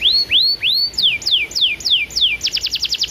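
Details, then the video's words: Canary song used as a training recording to stimulate other canaries to sing: three rising arched whistles, then five sharp descending slurred notes, ending in a rapid bright trill of about eight quick notes. "PANCINGAN KENARI BAHAN ATAU OMBOYOKAN PALING AMPUH"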